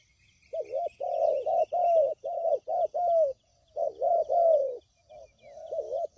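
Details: Spotted dove call played to lure birds into traps. A steady series of low, rounded coos in quick groups, with a short pause midway, under faint high twittering.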